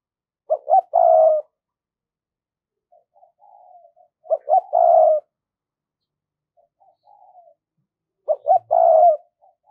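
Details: ['Spotted dove used as a decoy to draw wild birds in, thổ voice style: three loud phrases of short stuttering notes and a drawn-out hoarse coo, separated by quiet, wavering low coos.']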